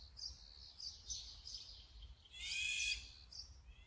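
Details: Brown-eared bulbul giving a loud, harsh, screeching call lasting about half a second after a run of soft high twittering, with low background rumble.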